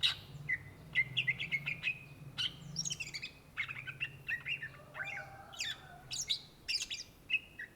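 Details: Cucak ijo, the greater green leafbird, singing busily (gacor): rapid varied chirps, whistles and quick slurred phrases jumping between pitches, broken by brief pauses, with a low hum underneath.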